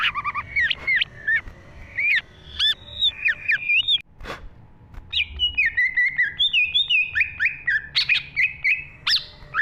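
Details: Energetic green leafbird song from a training recording for captive songbirds: fast, varied whistled phrases, chirps and slurred notes, pausing briefly mid-way before a dense burst of rapid rising and falling notes, with a quiet low background hum.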